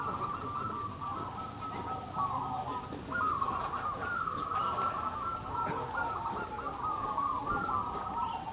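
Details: Local crossbred zebra doves (perkutut) at a singing competition, many birds cooing at once: overlapping rolling, trilled coos layered into a steady chorus, with a few louder phrases standing out near the end.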